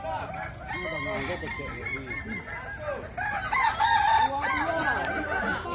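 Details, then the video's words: Kukuak Balenggek roosters crowing at a singing contest in West Sumatra, several birds overlapping in wavering, multi-note crows, with one loud, long, tremulous crow standing out near the end. "Lomba Kontes Ayam Kukuak Balenggek, Suaranya Bikin Kagum"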